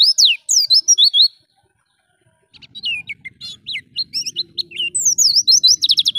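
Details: Oriental white-eye (pleci) singing vigorously, a 'pancingan' lure recording for training pet white-eyes: shrill looping whistles, a second of silence, then quick chips building into dense, high, rippling warbles over a soft low hum.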